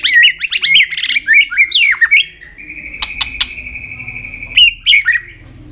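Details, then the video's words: Caged white-rumped shama, singing with tail-flicking display, used to stir other shamas into song: loud whistled warbling notes sweeping up and down, then a long steady high whistle cut by sharp clicks, followed by more rising phrases. "chòe lửa hót đánh đuôi.chòe lửa tạch kích bổi lên lửa hiệu quả"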